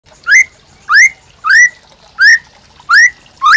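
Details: White-rumped shama, a captive bird singing actively, used as provoking and master song for training other birds: six loud rising whistled notes with bright overtones, repeated about every two-thirds of a second over a quiet background.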